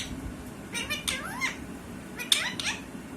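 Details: Parrot in a small indoor room making a few drawn-out, wavering calls that arch up and down in pitch, meow-like in tone, spaced by short pauses over a low background hum.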